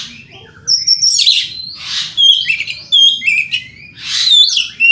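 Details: Oriental magpie-robin song used as a lure to provoke rival magpie-robins: varied loud whistles, buzzy bursts and quick slurred notes in short phrases separated by brief pauses, with a faint low hum beneath.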